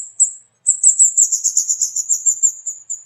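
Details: Burung kemade, a flowerpecker, gives one or two lone high 'cit' notes, then after a short silence launches into a fast, dense, slightly buzzy trill of thin notes.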